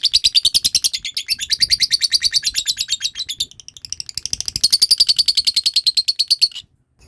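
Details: Long ngekek of a lovebird, played to coax other lovebirds into trilling: rapid high chattering notes over six and a half seconds, dipping briefly in the middle before resuming, then stopping abruptly.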